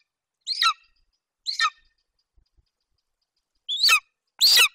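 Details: At a golden eagle nest in Bucovina, July 2021, the young male calls over a Eurasian hare his mother delivered. Scattered high, falling squeals are spaced by pauses, the last two louder and harsher.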